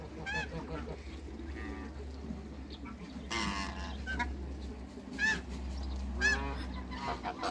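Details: African geese, a pair living in a backyard with other waterbirds, sounding loud, harsh honks spaced a second or more apart, each rich and nasal, over a constant low drone and softer bird chatter.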